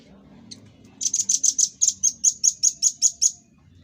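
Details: Velvet-fronted nuthatch in a 'tembakan' style burst, a master recording for training cage birds: about thirteen sharp, high chipping notes fired rapidly over two seconds, evenly paced, after a single faint chip, with quiet low hum beneath.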